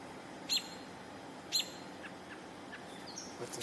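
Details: An American robin in July, possibly reacting to a nearby hawk, gives two sharp, high call notes about a second apart, over steady background hiss with a few faint chirps.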